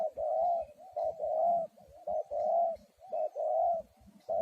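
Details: Decoy spotted dove kept to lure wild doves into a trap, cooing in a steady chain of short and long mellow notes that blend into each other with barely a pause.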